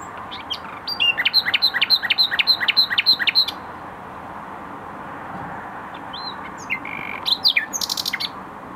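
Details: Garden in Tokat, Türkiye, where a common nightingale sings a rapid, regular train of loud repeated notes for over two seconds. After a long pause it adds a few scattered whistles and a brief buzzy rattle.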